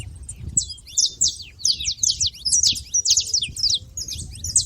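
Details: At a feeder, saffron finches make a racket of rapid, high-pitched chirps and slurred squeaks in quick succession, several birds overlapping, with low background rumble.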